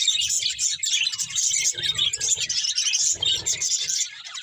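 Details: Dense budgerigar chirping, high, scratchy and warbled, comes from several birds at once over soft low rumbles.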